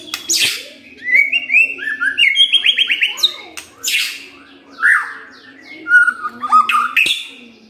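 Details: Song of a white-rumped shama played as a lure to trigger aggression: varied whistled slurs, fast trilled runs and sharp clicks, with a low steady hum in the background.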